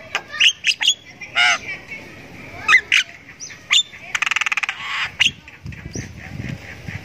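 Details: Caged Javan myna that used to somersault in its cage and now sings vigorously after routine care. Harsh broadband squawks and short sharp notes alternate with brief whistles, plus a fast buzzy rattle of about a dozen pulses near the middle.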